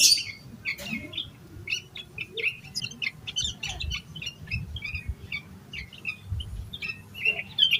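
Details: Yellow-vented bulbul in a heated, full-phrased song, used as a lure to make other bulbuls sing: sharp squeaky opening, then a steady chatter of quick clipped chirps throughout, with light low thumps in the background.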